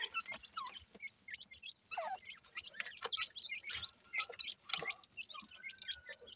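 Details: Feeding partridge chicks in the morning keep up many brief high chirps and occasional longer descending peeps, set against frequent small pecking clicks.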